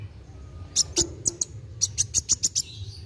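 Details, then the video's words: Kolibri wulung sunbird in active song (gacor), meant to stimulate young birds to sing; a string of crisp, very high staccato chirps, roughly four per second, ending in a faint trill, with low hum behind. "KOLIBRI WULUNG GACOR NARUNG CEPAT MERANGSANG BUNYI BURUNG BAKALAN"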